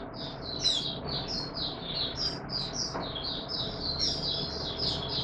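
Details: White-eye known as Mata Puteh Raja, warm humid weather, 20 March 2022: continuous high twittering warble of short slurred notes running throughout, moderately soft, over a constant low hum.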